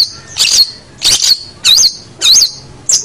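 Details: Long-tailed shrike song meant as a model for other cagebirds: five loud, harsh yet whistled phrases with looping pitch turns, spaced about every 0.6 seconds.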